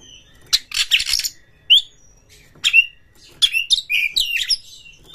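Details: Indonesian Oriental magpie-robin, agitated toward a rival, delivers harsh scratchy bursts, a single upward whistle, then a run of quick twisting whistled notes mixed with rasps.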